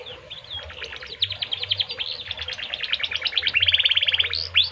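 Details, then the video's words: Gacor canary song in the cengkok mewah style: a soft start that builds into fast repeated chirps, then a tight buzzing roll and a final rising whistle, with a faint low hum underneath. "Suara Burung Kenari Gacor cengkok mewah"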